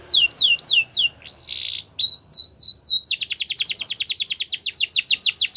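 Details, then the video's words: A Gloster canary sings bright, high phrases: a few falling swoops, a buzzy note, then a fast trill of repeated chips. "Gloster Canary Singing"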